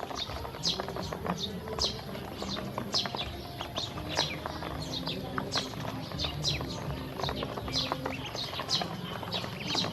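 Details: A team of hungry domestic ducklings eating feed and drinking water: continuous high descending peeping from many chicks, dense with pecking clicks, low background rumble throughout.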